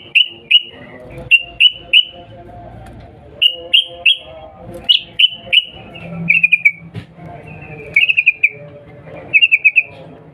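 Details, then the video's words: Sooty-headed bulbul lure call: repeated short whistled chirps in groups of two to four, with a low faint hum midway and a few quick trills later. "Panggilan Trucukan gacor Cuk Cuk EMOSI Nggaruda | pancingan trucukan agar bunyi CEPAT NYAUT GACOR"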